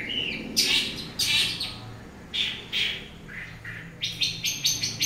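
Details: Long-tailed shrike heard in the morning with spaced harsh rasps and short whistled notes, ending in a fast run of sharp clipped chirps.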